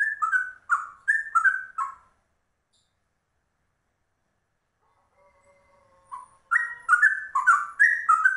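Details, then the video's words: Yellow-vented bulbul (trucuk), a rare bird, singing in cucak rowo rolling style: bursts of rich, liquid whistled notes, a pause of about three seconds with a faint soft tone, then a renewed quick, warbling run. "Trucuk langka ropelannya cucak rowo"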